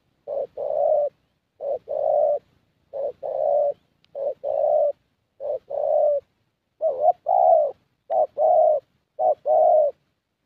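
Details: Young 'thổ' Spotted Dove in Gia Lai, Vietnam, singing at a decoy session: a steady series of two-part coos, a clipped note followed by a fuller drawn-out one, roughly eight phrases in ten seconds.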